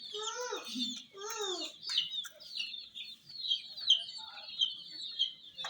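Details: ['Hen chicks beside a toy jeep, two descending harmonic calls at the start, then a chorus of bright, quick peeps with sharp louder chirps standing out.']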